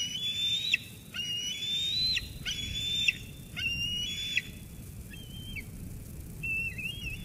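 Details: After its mother brings food, an eaglet at Sauces Canyon squees at her until she leaves, 13 June 2021. Four loud, level whistled squeals with harmonics and abrupt endings, followed by a few shorter, fainter notes.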